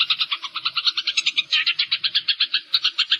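Munias give a fast, steady run of short, high chirps, about six or seven each second, with a faint low background rumble.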